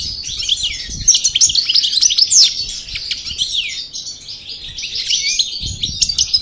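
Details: Parva goldfinch from El Bordj practising its song after the moult: rapid, jumbled chirps and liquid trills at high pitch, about three notes a second, one clear descending slur midway, faint low knocks.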